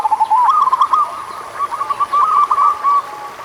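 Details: Song of a local zebra dove, meant to coax slow-singing doves: rapid, rolling staccato coos at a steady middle pitch, continuing almost without break for about three seconds, with faint hiss behind.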